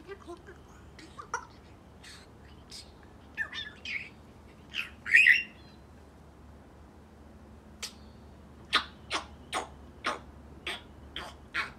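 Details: Eight-month-old male African grey parrot kept as a pet, known to mimic neighbourhood currawongs, chattering indoors: scattered sharp clicks and brief squawks, a louder raspy burst midway, then a run of crisp clicks roughly every half second toward the end.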